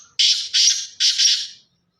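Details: Black francolin of pure Sindhi chirki lineage, calling: three loud, harsh, grating notes in quick succession, the last drawn out and fading, against a silent background.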